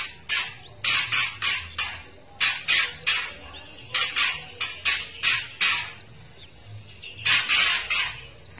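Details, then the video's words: A female white-rumped shama gives harsh, high, raspy rattles in quick bursts, roughly two per second in short runs with brief pauses between. "kretekan murai batu betina trotol menaikkan emosi murai batu"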